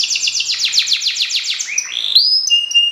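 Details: Canary, F1 YS line, singing a quick series of sharp repeated notes, a rising slur, then a steady high whistle with brief overtone notes.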